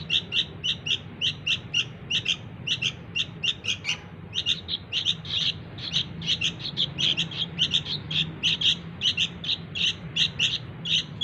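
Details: Sooty-headed bulbul chick begging insistently to attract its parents: a long, rapid run of scratchy chirps in twos and threes, growing denser and louder in the second half, over steady low hum.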